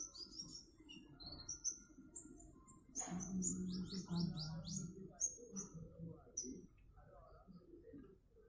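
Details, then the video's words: Konin trotol bird singing high, thin chirps and short whistled notes in quick, irregular runs, over a low rumbling background with a brief loud thump near the middle. "Burung konin trotol"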